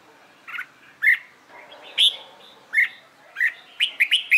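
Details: Red-whiskered bulbul trained for competition singing: short bright whistled notes, some slurred upward, spaced about every half second, closing with a quick cluster of three or four phrases.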